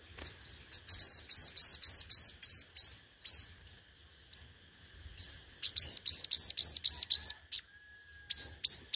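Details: Decoy sunbird known in Vietnam as 'hút mật 5 màu', singing competitively: fast, even trains of shrill, high notes in two long runs, with a few single upswept whistles between and after them.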